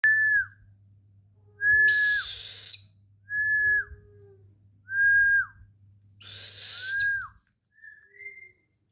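A Buffy fish owl gives high, thin whistles, each held briefly then dipping at the end, about every second and a half, with two harsh hissing bursts and a low hum.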